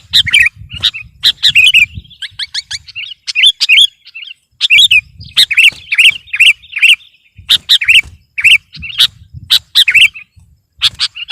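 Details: Sooty-headed bulbul in full song, meant to overpower rival birds: bubbly, liquid phrases of short, rising-falling notes, repeated in quick bursts with brief pauses, over a faint low rumble.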